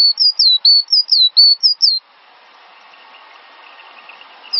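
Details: Cinereous tit song from a master recording for training songbirds: a rapid series of high, clear whistled notes, each a short two-part down-slur, repeated about four times a second for two seconds, then quiet background hiss.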